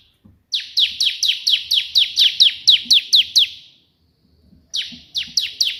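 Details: Energetic Bar-winged prinia in a perenjak putih-style 'tembakan' burst, recorded as a tutor song: a long run of about fourteen quick, evenly spaced high descending chirps, a brief silence, then a fresh rapid volley begins.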